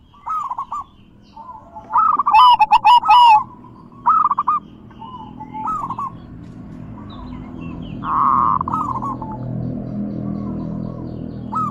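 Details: Zebra dove song used to stimulate silent doves, big, bekur and crystal voices: a loud rolling trill early, then softer spaced coo phrases while broad background noise rises, with a short harsh burst near the end.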